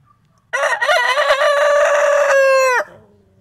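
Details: Rooster crowing: a raspy, rich crow starts abruptly and wavers at first, then settles into a sustained flat note lasting over two seconds and ends with a quick downward slur. There is light background noise.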